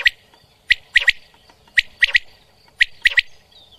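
A quail gives sharp, liquid clicking notes in quick triplets, each phrase about a second apart, against faint background hiss.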